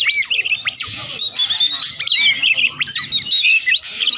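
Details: Oriental magpie-robin giving a harsh, squawking, buzzy song with thin sharp whistles cutting through, meant to push rival birds to reply and fight.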